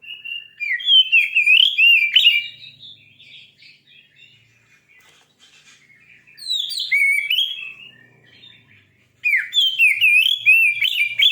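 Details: Shama song intended to stir another shama into singing, delivered in three bursts of fast, rich whistled and warbled phrases separated by quiet pauses.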